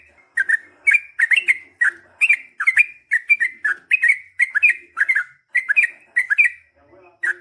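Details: Yellow-vented bulbul in a strong, lively gacor ropel song: dense stream of liquid chirping couplets and triplets, each phrase rising and falling, delivered almost without break for several seconds.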